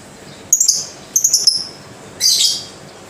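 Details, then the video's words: Slow lovebird song: two short clusters of sharp, high chirps with thin descending whistled notes, a pause, then one longer grating, buzzy burst, in a quiet indoor setting. "Lovebird Bunyi Pelan TAPI Pasti"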